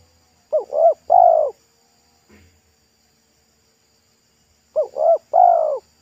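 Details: Roadside spotted dove, a local bird with a thick, loud pesom-style voice, being lured. Two complete coo phrases about four seconds apart, each two brief notes and a longer descending coo. A faint click between phrases.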